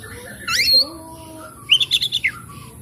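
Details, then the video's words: Oriental magpie-robin song used to stir stressed, silent birds: a rising slurred whistle, then a fast run of five or six ringing chattering notes, with softer lower whistles in between. "cukup skali pancing kacer macet stres malas bunyi langsung gacor"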